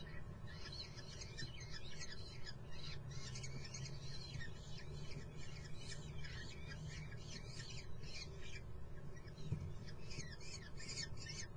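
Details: Insistent, rapidly repeated high screeches from common kestrel nestlings at Muttenz, in long runs with short gaps, set against a constant low mechanical-sounding hum.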